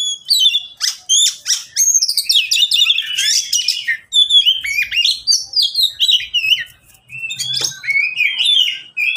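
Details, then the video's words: Three caged Oriental magpie-robins calling back and forth, a recording meant to coax lazy birds into singing and to lure wild ones: rapid, varied whistles with quick up-and-down slurs, clicks and chirps in near-continuous bursts. "Kicau mania sederhana cocok untuk masteran burung Kacer yang malas bunyi"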